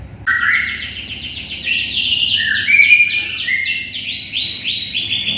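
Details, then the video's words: Canary in lively song for tutoring white-rumped shamas: a long rolling trill of rapid repeated sweeps joined by lower whistled notes that step up and down, set against a faint background hum. "SUARA BURUNG KENARI GACOR"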